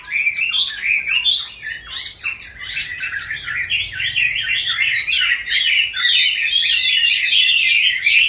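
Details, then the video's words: Chinese hwamei, one of several caged birds raised from youth to their fifth year, sings varied whistles broken by rapid harsh notes, then settles into a long, rolling, continuous warble. "Có những chú họa mi trong clip Q nuôi từ bổi sang năm thứ 5"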